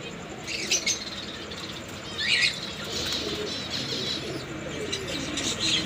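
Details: Lovebirds calling: short high chirps and squeaky trills in bursts, some rising and falling, over steady background hiss and flapping sounds.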